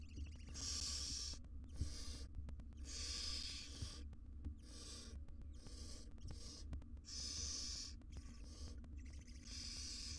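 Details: Tiny barn owl chicks being groomed by their wild mother in a monitored nest box in Israel; a run of rasping hisses, some long and some clipped, with occasional faint clicks.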